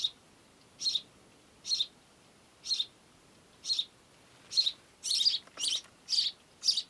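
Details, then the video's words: A house sparrow, a bird of human settlements, gives bright, harsh chirps, about one per second at first, then quicker and louder near the end, with no other sounds. "Vogelstimmen: Der Haussperling - House sparrow - Passer domesticus"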